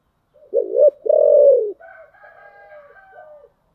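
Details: Spotted dove giving a 'giọng thổ' style song: one low cooing phrase of a brief wavering note and a sustained falling coo, followed by quieter higher chirping in the background.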